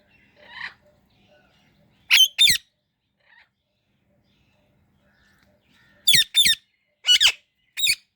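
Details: Indian ringneck parrot giving loud, harsh, sharp squawks: a pair near the start, then a burst of four close together after a pause, in a quiet room.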